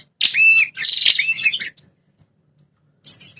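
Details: Red-headed prinia call meant to make wild territorial prinias respond aggressively. A strident, buzzy trill with a lower swooping whistle, a few thin high pips, then a brief harsh burst at the end.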